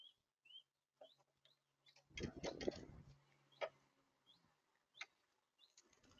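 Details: Wild monk parakeets in Florida on a hot day give short, sharp, rising chirps every second or so, with a loud burst of harsh chatter or wingbeats in the middle and a low hum beneath.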